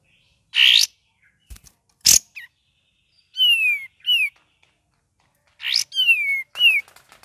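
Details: Cream-vented bulbul in gacor, ngeriwik song: loud rustling bursts followed by paired whistles, one long falling slide and a short downturned note, repeated twice several seconds apart.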